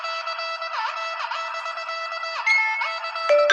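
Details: Only music is heard, a bright wind-instrument melody with sliding notes and no animal sound.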